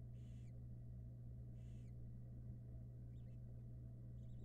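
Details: Barn owl at a Florida nest box camera, a brooding female with six young taking a short break; two harsh, breathy hissing bursts about 1.5 seconds apart, then faint chittering over a steady low electrical hum.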